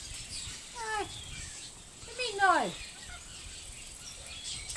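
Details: Silverton, NSW corella mimicking speech, dated 25/6/10: a short descending voiced phrase followed by a louder, longer, rich harmonic utterance that sweeps downward, then quiet background.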